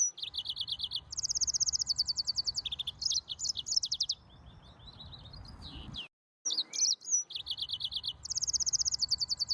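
An Atlantic canary sings a long, rapid series of bright, high trills and rolling chirps, changing phrase every second or two, with a brief pause near the middle.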